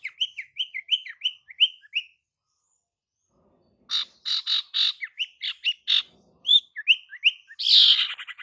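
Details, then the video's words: Female sirtu calling to draw males: a fast string of rising whistled chirps, a silent gap, then harsh buzzy notes interleaved with whistles, ending in a loud rasping burst. "Kicauan SIRTU BETINA Untuk PIKAT SIRTU JANTAN"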